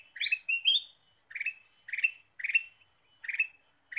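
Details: Ruby-throated bulbul lure song: a pair of rising whistled notes opens, then short bright chattering bursts repeat about once a second over four seconds, with no other sounds.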